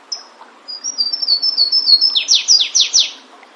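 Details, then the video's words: A Flavescent warbler (Myiothlypis flaveola) sings loudly in the wild, a short phrase of thin, high whistled notes in quick series building into several loud, sharply falling slurs, reminiscent of a Belgian canary. "Canário do Mato cantando bonito na natureza"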